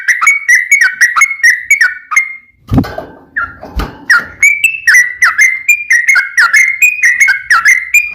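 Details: Sooty-headed bulbul giving a long rapid 'ropel panjang' song used to provoke other bulbuls into singing: steady run of whistled, slurred notes, with dull knocks or handling thumps near the third second, then continuous chattering phrases.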